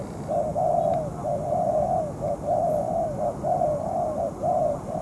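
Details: Spotted dove, a moulting decoy bird used in ground trapping, calling against a wild bird over two hours: mellow low cooing phrases, roughly one per second, in broken runs, with faint background hiss.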